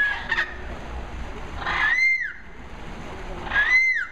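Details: Chattering parrots at a resort in Mexico in November 2016: two loud, clear rising-then-falling whistled calls about two seconds apart, over steady background noise and a faint murmur.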